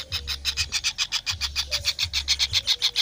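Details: Rapid buzzy pulses from kingfisher chicks, about seven a second and very regular. A faint thin whistle and a low hum sit beneath.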